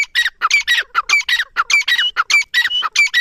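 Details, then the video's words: Grey francolin calling in D.G.K, Pakistan: loud, harsh, squawky notes in rapid, steady succession, about a hundred a minute, each with a clear whistled edge, filling the whole stretch without pause. "teetar ke VIP boli | teetar sound PK of D.G.K | teetar ke masti | bhory teetar ke awaz"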